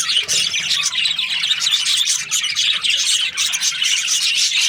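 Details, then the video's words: Budgerigar chirping in a happy mood; bright, rapid twittering and scratchy warbles keep up an unbroken high chatter. "Happy budgie chirping sounds"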